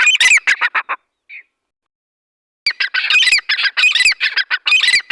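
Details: Dhakani teetar, a partridge, giving rapid, loud, harsh squawking notes in two bursts separated by a quiet gap of about two seconds.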